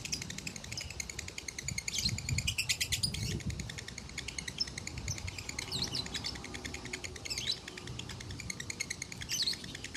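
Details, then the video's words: A Konslet lovebird from a farm in Salatiga, Indonesia, recorded as a master song reaching a contest score of 8400, gives a long, unbroken run of rapid, shrill chattering and squeaky twitters over a low rumble of background noise. "Masteran Lovebird Konslet ASLI"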